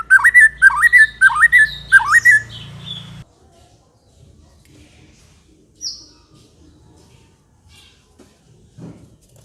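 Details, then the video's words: White-rumped shama singing vigorously in the ngekek style: a whistled phrase with a rising upsweep, repeated four times in quick succession over three seconds, over a low steady hum. Near silence follows, with a single faint high note. "kicau/suara Murai batu gacor | murai Batu ngekek"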